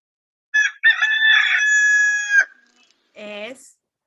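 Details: Rooster crowing, played for children in a lesson on domestic animals: one long, loud, harmonic crow lasting about two seconds, broken by a short opening note, then a brief voice-like sound after a pause.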